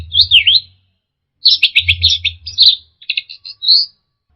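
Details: Song of an orange-headed thrush, used to coax caged birds into replying: a looping whistled phrase, then a rapid jumble of chattering notes and a clear rising whistle at the close, with a low droning hum underneath.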